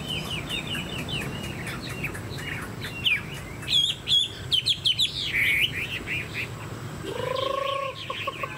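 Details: Chinese hwamei, a kept cage bird with a fanned tail and tall posture, singing a fast run of varied chirped and whistled notes, with a louder burst of short phrases in the middle and a drawn-out low note near the end.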